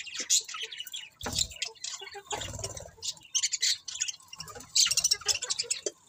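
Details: A flock of budgies keeps up a lively high chatter of squeaks, chirps and squawks, rising and falling in loudness, with occasional low thumping noises.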